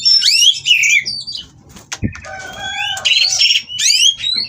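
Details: Oriental magpie-robin (kacer) bred in captivity in Kroya, singing while mating to set off rivals: fast high warbling, a single loud knock, then drawn-out steady whistles and rising slurred notes, with a low background hum.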